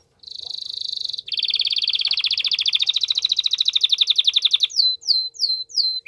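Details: Strong canary song to prompt a female into mating posture, with a brief buzzy trill, a long steady rattling roll of rapid pulses, and then separate whistled down-swept chirps near the end.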